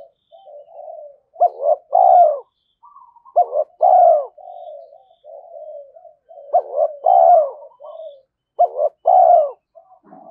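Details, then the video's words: Spotted dove kept as a decoy, in the 'giọng thổ' voice style, cooing to challenge and call in rival males. Four rounds of a clipped double note and a strong, drawn-out descending coo, each trailed by quiet murmuring notes. "Chim Cu Mồi Thúc Đấu Và Gáy Gọi"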